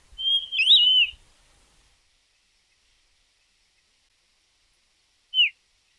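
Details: Gray Monjita (Xolmis cinereus) song: a high, wavering whistled phrase lasting about a second, then a lone short falling whistle four seconds later, against a quiet background.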